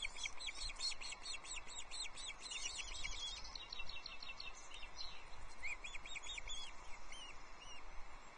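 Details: Ospreys at a Loch Arkaig nest in June 2024 during a fish handover, the male bringing a second trout for the chicks. Quick strings of thin, high whistled notes open the clip, then fade into scattered calls over steady hiss.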